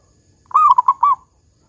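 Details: One close cooing phrase of a local zebra dove in big "kung" style: a sustained gliding opening coo, then three quick mellow beats at the same low pitch, background quiet.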